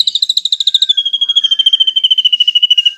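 A drongo gives a fast, even trill of high notes, about ten a second, sliding slowly lower over three seconds.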